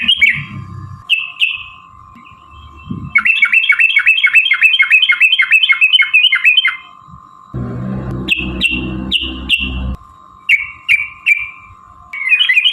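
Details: Yellow-vented bulbul, called trucukan or trucuk locally, in a long, lively 'ropel' fighting song used as a lure to provoke birds into singing. Bright whistled notes slur downward, then a rapid repeated chatter series, with a steady tone and low rumble behind.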